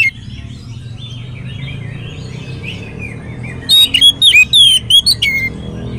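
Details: Oriental magpie-robin singing as a lure for others of its kind. Quiet, low twittering fills the first few seconds under a steady background hum, then a loud phrase of sharp, clear whistles bursts out near the end.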